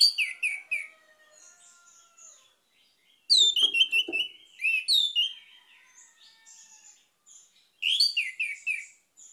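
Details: Orange-headed thrush sings in three bursts of rich, rapid, descending whistled notes, with faint thin whistles and soft chatter in the pauses between phrases.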